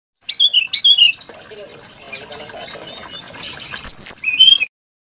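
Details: Brown-chested jungle flycatcher, kept songbird valued for its varied, melodious voice: bright whistled phrases with rapid warbled twists between 2 and 8k, a quieter murmuring stretch in the middle, then a high rising trill and a closing slurred whistle.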